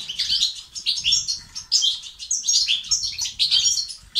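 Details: European goldfinch batbata and sastasat song for motivating males to sing; crisp, high tinkling chirps and trills in quick succession, with almost no background noise.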